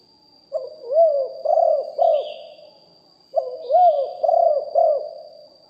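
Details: Spotted dove kept as a lure bird, live recording of deep-voiced cooing in the styles called lew hoi and kuk hoi: two phrases of about four mellow, arched coos each, separated by a short pause, over a steady faint high hum.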